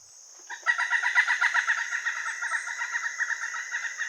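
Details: Pileated woodpecker (Dryocopus pileatus) call: a loud, ringing series of 'kuk' notes, about four a second, slightly uneven in pace and pitch, over a faint steady high hiss; these calls can carry up to half a mile.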